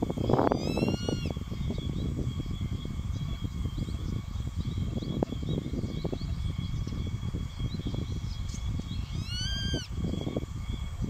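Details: Juvenile Grey-faced Buzzard calling at an adult before being driven away: one bright arched whistle near the start and another toward the end, separated by long stretches of gusty wind noise.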